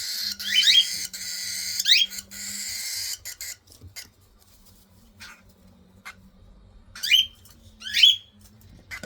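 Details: Baby cockatiels calling during feeding: loud upward-sweeping shrill cries spaced a second or so apart, with a low steady hum and a quieter pause between bursts.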